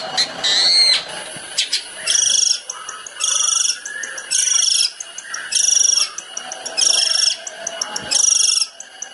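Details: Long-tailed shrike, tembakan-style master for training songbirds: harsh, buzzy high bursts lasting about half a second, repeated roughly every 1.3 seconds, with faint ticking notes between.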